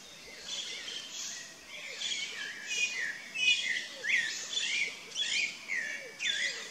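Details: Chalk-browed mockingbird song made of rich, harsh-edged phrases repeated roughly every second, mixing buzzy bursts and sliding whistles, over a steady chorus of soft low arched notes from other birds.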